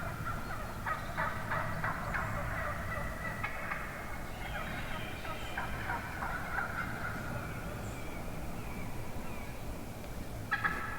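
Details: Wild turkey hens calling from within a large flock one morning: rough, repeated yelping notes in quick, uneven series, several birds overlapping and answering one another, over steady low background rumble.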